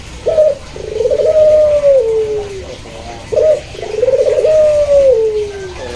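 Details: Two coos from a Barbary dove of the pelung or local puter kind, each starting with a short note and rising into a pulsing roll before a long, falling drawn-out tone.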